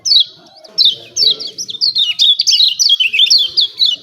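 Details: Rapid "ciak ciak" chirping of a lemon-bellied white-eye, meant to lure birds into singing. A sharp note opens, then a dense run of high, descending tweets continues almost without pause.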